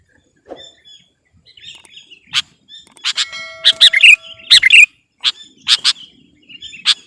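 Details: Sooty-headed bulbul in competition-style singing meant to overpower rivals: scattered bubbly, warbled phrases broken by sharp, loud clicking notes that come in bursts, with a dense cluster near the middle.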